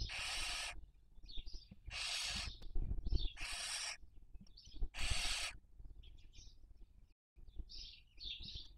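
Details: Barn owl on a nest webcam in Cabañeros National Park, Castilla-La Mancha, Spain, breeding season 2023, raising young; four loud rasping hisses in the first half, then quieter wheezy notes and a brief dropout.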